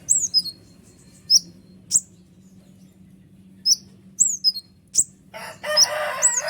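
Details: Kolibri ninja, a sunbird, singing noisily to stir up other songbirds. Shrill, falling squeaks repeated at uneven intervals, then a burst of loud broadband rustle near the end.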